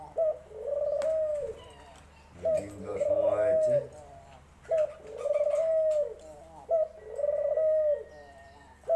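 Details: Dove cooing: four low, hollow coo phrases, each starting with a short note and swelling into a longer steady hoot, repeating roughly every two seconds against a quiet background.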